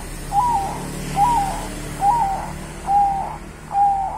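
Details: Local Javanese zebra dove from the wild giving its cooing song: five short rolling coos, each slightly rising then falling, repeated evenly about every 0.85 seconds over a faint steady low hum.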